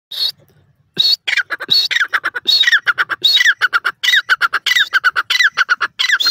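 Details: Partridge, locally called dakhni teetar, calling in a loud, harsh series of rapid repeated notes with downward-sweeping squawks, delivered in irregular bursts with short pauses and no other clear sounds.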